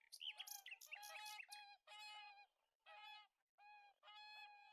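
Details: Whooper swans trumpeting: overlapping excited honks at first, then single drawn-out, nasal bugling notes repeated about once a second.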